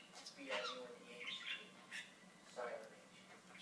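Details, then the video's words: Talking budgie mimicking speech in scratchy, word-like phrases, several short bursts separated by brief pauses, with faint background hum. "Torres The Talking Budgie"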